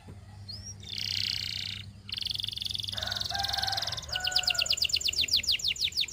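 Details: Canary singing to coach others into song: harsh buzzy blocks of sound, a lower stuttering trill, then a fast series of bright, evenly repeated chips, over a steady low hum.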